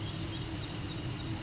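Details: A single clean, thin, high whistled note from a captive red avadavat or strawberry finch, held level for about a third of a second before dropping slightly, against quiet background.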